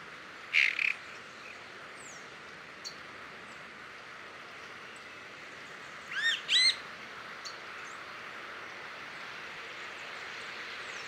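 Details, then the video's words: A chalk-browed mockingbird (Mimus saturninus) calls in Parque Luis Latorre, Itatiba, São Paulo, Brazil, 26 August 2017 at 09:30: two short bursts of loud, harsh chirping notes about six seconds apart, over steady hiss with faint distant chirps. "Vocalizações de um sabiá-do-campo"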